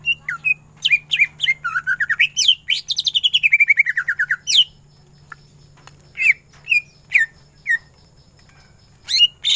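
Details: Greater green leafbird singing full ngentrok for masteran: a rapid stream of clicking notes building into a long rattled trill that falls in pitch, followed by spaced single whistled chirps.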